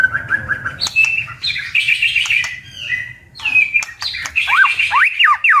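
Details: White-rumped shama in competitive singing: a varied run of clear whistles, short repeated mid-pitched notes, then sliding high phrases and rapid up-and-down swoops, with a low background rumble.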